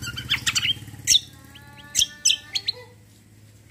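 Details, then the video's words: Cucak kombo (kecial kombo) in roll tembak gacor delivery: bursts of high, sharp chirps, mostly grouped early, then a few spaced single notes, over a constant low mechanical hum. "CUCAK KOMBO KECIAL KOMBO ROLL TEMBAK GACOR COR"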